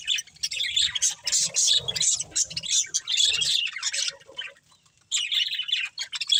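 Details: Budgies of a breeding pair chatter in quick squeaky bursts, go quiet for about a second, then resume with bright chirps.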